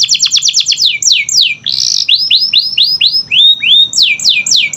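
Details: Canary song played to coax silent canaries into singing: quick cascade of falling whistles, a buzzy rattle in the middle, then evenly spaced rising-then-dropping whistled notes about four per second.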